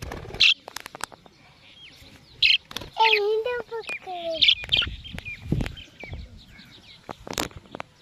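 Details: Talking parrot uttering a short run of high-pitched, speech-like syllables with strong harmonics in the middle of the clip, framed by sharp shrill squawks and scattered clicks and taps.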